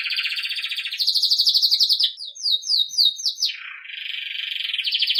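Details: Belgian canary singing in the campainha style, used for training young birds: dense rolled trills shifting between pitch levels, a quick run of downward-slurred notes in the middle, then a lower buzzing roll that swells back up.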